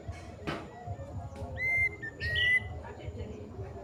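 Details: Plaintive cuckoo (kedasih) in long song: one clear two-part whistled phrase, level then slightly rising, preceded by a sharp click, with soft low background noise.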